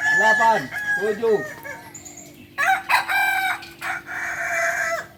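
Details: At a kukuak balenggek crowing practice contest in Panyakalan, Solok, a rooster gives a stepped, wavering crow in repeated segments. Other birds' crows follow, with a steady low hum and voices underneath.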